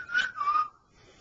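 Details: Brief fragment of a male pet cockatiel practising "Dixie": two sustained whistled notes, the second lower than the first, then quiet.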